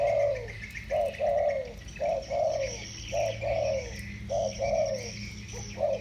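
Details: A pair of 'thổ bầu'-voiced spotted doves coo back and forth. Soft, descending hooting notes come in short and long pairs at a regular pace, with a faint steady hum behind them.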